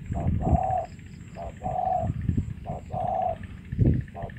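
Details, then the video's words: Spotted dove from Cà Mau giving soft, low coos, some short and some drawn out, in an uneven repeated phrase over low rumbling background noise. "Cu gáy cà mau"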